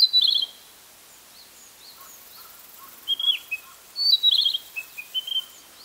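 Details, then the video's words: Male Narcissus flycatcher in Hokkaido, July 2014, giving a short trilled phrase, then after a pause a series of varied whistles and a rapid trill, with faint distant calls in between. "キビタキ♂囀り Narcissus flycatcher"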